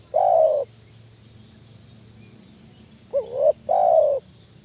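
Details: Spotted dove calling to lure other doves: the tail of one long mellow croo, a pause, then a full phrase of a hooked rising coo followed by a long, gently falling croo.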